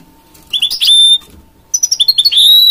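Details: Hybrid mule of goldfinch and canary gives two short phrases, each a run of quick high chirps ending in a sustained clear whistled note, with a pause between; a soft hum runs throughout.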